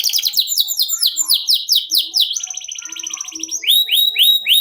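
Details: Canary delivering ngerol contest song: rapid downslurred high notes repeated about four per second, a smooth rolling trill, then loud upswept whistles in a steady series.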